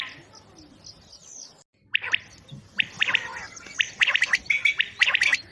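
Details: Quail calling on a Mianwali hunting tape, sound used to attract birds: after a brief gap, sharp high chirps come in quickening clusters, densest toward the end, with faint background hiss.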